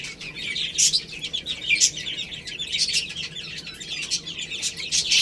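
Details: Cute baby chicks peep high and quick as they eat rice, with sporadic loud chirps standing out over a steady background of softer calls.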